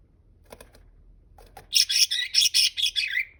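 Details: Pet male budgerigar chattering to himself indoors while his mate incubates many eggs: faint clicks, then a rapid burst of high scratchy warbling notes about four per second, ending in a falling squeak.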